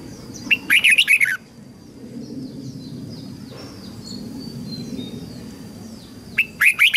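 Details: Red-whiskered bulbul training song for young and wild-caught birds: an opening burst of rapid, rich warbling, a long pause with faint background hum, and a second burst starting at the end.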